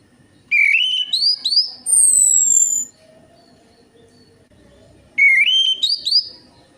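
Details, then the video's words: Lure recording of an Orange-headed thrush: fast warbled phrases that climb in steps with sharp upward flicks, then a long, high falling whistle, repeated after a pause. "PANCINGAN ANIS MERAH AMPUH INI, ATASI SUSAH BUNYI ANIS MERAH"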